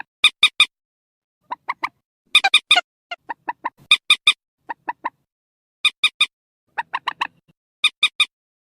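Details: Purple swamphen squeal played via loudspeaker to lure birds into nets at night, October 2024; bursts of three or four sharp nasal notes repeated at irregular intervals over a quiet background.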